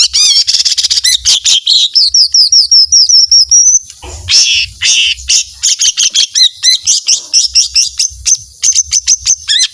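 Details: Lesser green leafbird in full voice, delivering long 'tembakan' shooting bursts full of emotion: a dense, unbroken stream of rapid high chirps, zigzag trills and rising whistled notes with barely a pause.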